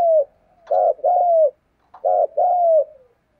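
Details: Decoy spotted dove doing the urging coo: two pairs, each a short rough coo and a longer falling one that trails off softly, with a short pause between pairs.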